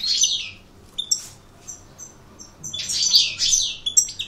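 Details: European goldfinch, an aggressive coupleur, with a sharp high chirp, a few faint thin notes, then a burst of rapid twittering and tinkling high notes.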